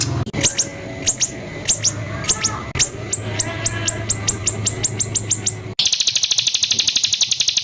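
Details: White-rumped shama training recording with rough 'tembakan' bursts: sharp whistled notes sliding down from very high, repeated in quick runs, then ending in a fast, dense buzzy trill. A steady low hum sits underneath.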